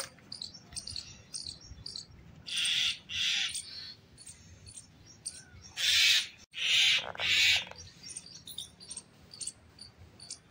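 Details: Myna in a fight with a snake: scratchy, grating screeches come in two clusters, a pair early on and three close together later. Faint high ticking chirps run underneath.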